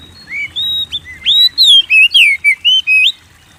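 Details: White-rumped shama singing to stir kept birds: soft rising whistles building into a steady row of loud, swooping whistled notes.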